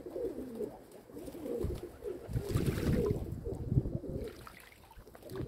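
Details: Domestic pigeons kept at home coo in short, bubbling low phrases, several in a row, mixed with soft thumps and shuffling sounds in the middle.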